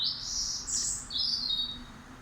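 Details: A daytime bird singing at 11.30pm on a summer night, when birds normally sleep, sounding distressed: thin high whistled notes, a few drawn-out phrases sliding slightly downward, over a steady low background hum.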